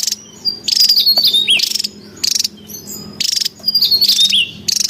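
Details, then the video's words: A wild Javan tesia calls in high, bright whistled phrases mixed with rapid buzzy rattling bursts, repeated several times a second, with a steady insect drone underneath. "SUARA PIKAT DAN MASTERAN TESIA JAWA RIBUT DI ALAM LIAR"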